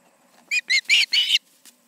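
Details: Evening of 20 August 2019 at the Charlo osprey nest with two birds: four rising whistled notes in quick succession, the last two longer and harsher, over a faint low background hum.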